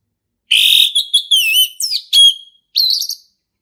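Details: Loud male orange-headed thrush in the wild, singing ngeplong: a sustained clear whistle, then looping whistled slurs, a falling note, and a final rising whistle.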